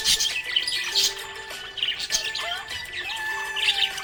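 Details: Contented budgerigar chirping: bright twittering phrases and scratchy notes coming in bursts roughly every second, set against gentle background music.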